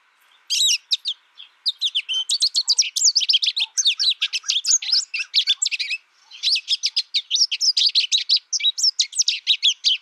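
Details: Long, continuous twittering song of an American Goldfinch, rapid high chirps and buzzy slurred notes tumbling over one another, broken by two short pauses.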